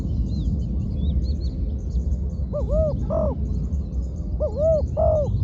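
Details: Trained spotted dove, a ground decoy bird, gives two short phrases of two or three mellow, arched coos after a quiet start. A steady low rumble of background noise and a few thin high bird calls are also heard.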